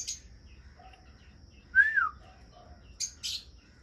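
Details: Cockatiel in an aviary gives a clear whistled call that rises and then falls, followed by brief harsher chirps.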